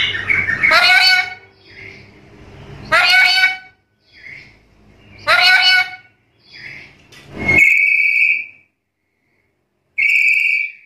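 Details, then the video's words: Black-capped lory, a challenge call used to provoke other lories to answer, giving loud, harsh, rasping screeches about every two and a half seconds, alternating with clear, steady high whistles. "Suara burung nuri kepala hitam gacor menantang lawan"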